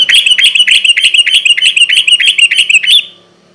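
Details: Dense, buzzy, fast-repeated notes from a sooty-headed bulbul singing in the 'garuda ropel' style as a night lure, a rolling three-second burst that stops abruptly into quiet.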